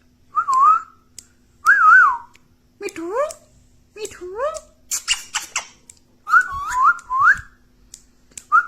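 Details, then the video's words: Parrot imitating speech such as "mitthu", with two-note warbled whistles, voice-like rising glides, a burst of rasping clicks, then more warbled whistles. "Talking parrot || mummy mitthu || mithu mitthu || bolne wala tota"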